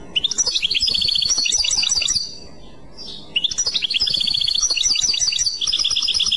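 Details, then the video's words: European goldfinch singing in the Clochette style, two busy bursts of high tinkling twitters and trills separated by a pause of about one second. "تغريد كلوشات Chant Clochette"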